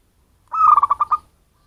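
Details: One rapid, rolling coo from a wild local zebra dove used for attracting birds: a short tone running into a string of quick pulses, lasting under a second.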